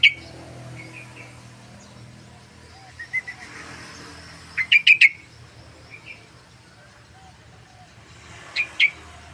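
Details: Sooty-headed bulbul singing vigorously, used as a lure and tutor recording; scattered soft notes lead into a loud cluster of rapid bubbly notes midway, then another short burst near the end, with faint hum.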